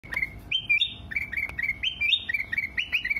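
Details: Sooty-headed bulbul (kutilang emas) song used as a training recording for cage birds: short bubbly whistled phrases, each rising then stepping down, repeated about twice a second, with faint clicks behind.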